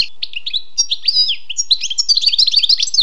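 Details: Wild European goldfinch singing: a fast, continuous run of bright twittering notes and short whistled slurs, growing denser and more jumbled toward the end, with no other sounds.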